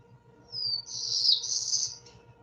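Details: A Black-throated Blue Warbler, a canopy bird of Vermont forests in summer, sings a buzzy, high, slurred phrase of three notes, the last rising, remembered as 'beer beer bree'.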